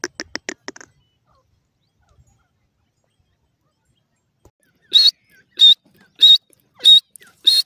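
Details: Grey francolin during breeding season: after a few quick clipped notes and a pause, loud high-pitched piercing whistles repeat about every 0.6 seconds, five in a row, in an otherwise quiet setting.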